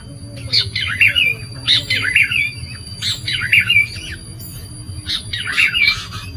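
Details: Sooty-headed bulbul used as a trapping lure for wild birds, giving short, bubbly, chirping phrases repeated roughly every second, each a quick tumble of descending notes, over faint low background hum.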